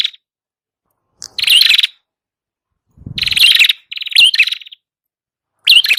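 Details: Red-headed prinia song for luring birds, with scattered phrases after long pauses. Each phrase is a rapid buzzy rattle with a sharp rising note, and there is a brief low thump.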